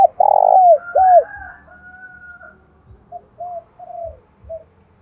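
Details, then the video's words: Spotted dove decoy bird cooing in the 'thổ đồng' style to lure wild doves: two loud, hollow, bending coos open the passage, followed by a run of softer, shorter coos fading off. "Chim Cu Mồi giọng đồng pha + thúc rút bổi + gáy gọi bổi + cu gáy giọng thổ đồng"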